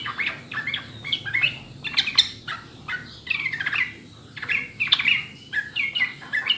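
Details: Clear sooty-headed bulbul song played to prompt caged birds to sing. It comes in bursts of bubbly, gurgling whistled notes, grouped into phrases about a second long and separated by brief gaps, with a faint low background hum.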